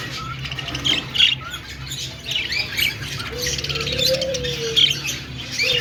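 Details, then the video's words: Budgerigar flock in an aviary, a constant mix of high chirps, squeaky warbles and short squawks from many birds at once, with a low steady hum underneath. "Flock of singing and chirping budgies in aviary |parakeet chirping sounds"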